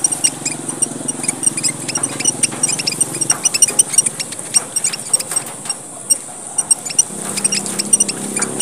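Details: Red munia (emprit merah) from Papua, Indonesia, used as a lure call: thin, high chirps and ticks in irregular bursts over steady high hiss and low hum.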